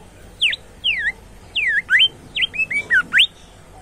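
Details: Active bimoli song: a lively run of about ten loud whistled notes, alternating falling and rising slurs, some short and clipped, delivered within under four seconds against a quiet, low hum.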